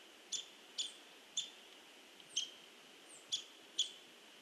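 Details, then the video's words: A Hairy Woodpecker pecks at a tree on 16 November 2015: six sharp, bright single knocks spaced irregularly, about half a second to a second apart, over a faint steady hiss. "HAIRY WOODPECKER PECKS AT TREE"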